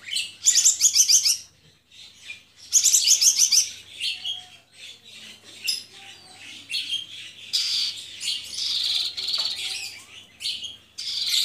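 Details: Javan bush lark, caged and singing in gacor style, gives two loud fast trilled bursts, then a looser stream of scratchy chirps and mimic-like warbles.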